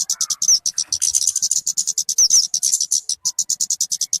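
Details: Talokan (kemade), a call suitable for luring birds or for training their song: a continuous rapid train of high, sharp chips, slightly louder and smeared in the middle, with a couple of slurred whistles.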